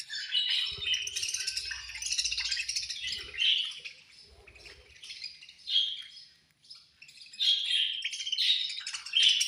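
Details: Budgies chirping during feeding time, a busy flock chatter of scratchy warbles and short whistled notes, dipping briefly mid-way before swelling again, with faint low thumps early on.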